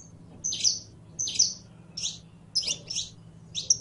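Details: Singing saffron finch (Sicalis flaveola, canario criollo): rapid, slightly buzzy high chirps in quick pairs, about four groups, with short gaps and a soft low hum underneath.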